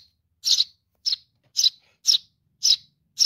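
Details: Baby sparrow calling for mom: six bright, high chirps spaced a little over half a second apart, clear against a quiet background.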